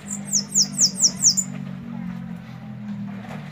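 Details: Sibite, a Bananaquit, singing in the Belgian style: a run of five very high, thin, downward-slurred notes about a quarter second apart, then quiet with a low steady hum.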